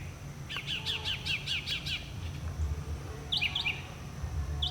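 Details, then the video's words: Singing Northern Mockingbird in a community area: a fast burst of six harsh, buzzy repeated notes, then after a pause a different brief sharp chirped phrase, against a constant low rumble and faint high tone. "Extended Northern Mockingbird footage (100 different songs?!?!?!)"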